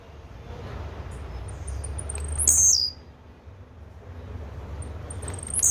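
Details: Blue-black grassquit song heard twice: a series of high ticking notes runs into a loud, piercing buzzy phrase, and a second phrase begins at the end. Low steady hum in the background.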